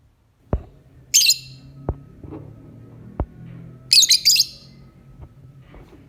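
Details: Lovebird lure for the morning: two bursts of high, grating chirps about three seconds apart, with several sharp tapping clicks and a faint hum in the background.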